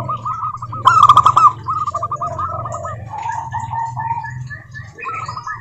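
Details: Local zebra doves singing to prompt other doves to answer: quick, rolling trills of soft coos from a few birds, one loud burst early, then overlapping quieter phrases at slightly different pitches.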